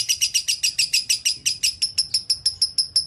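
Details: Pet lovebird repeats bright, high-pitched chirps at a quick, even pace, about three per second, with no other sounds heard.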